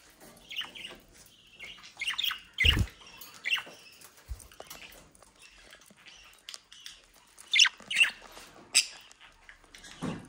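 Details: Home-bred budgerigars, described as mischievous, in the Den Haag region of South Holland, Netherlands: scattered short chirps and squeaky notes with pauses, a couple of low thumps, and soft background rustling.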